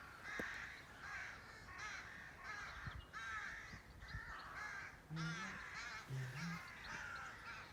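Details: Birds on a farm: harsh repeated cawing calls roughly every second, with a few deeper short honking notes near the end and soft background noise.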